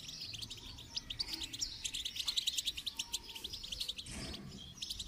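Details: Goldfinch song used for training: dense, rapid, high twittering made of short bright chirps in fast succession, almost unbroken throughout, with a brief low thud near the end.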